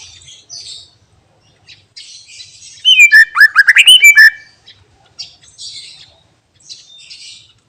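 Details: Greater green leafbird singing a mimicry-filled song: soft scratchy chatter, then a loud rush of rising whistles and rapid clipped chirps over about a second and a half, then back to quiet twitters.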